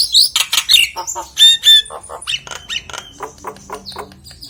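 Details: Common hill myna in full voice, used to coax quieter mynas into calling: rapid mixed bursts of shrill whistles, sharp chattering notes and harsh squawks, then softer clipped calls.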